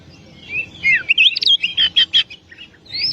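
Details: Oriental magpie-robin (Kacer/Klacer) singing loudly: a sliding down-slurred whistle, then a rapid series of about six strong emphatic notes, ending in a rising clear whistle.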